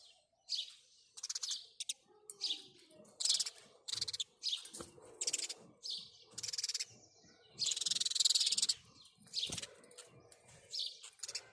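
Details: House sparrow calls: bright, clipped chirps repeated about once a second, rising into a thick burst of overlapping chirping, then single chirps again; low murmur behind.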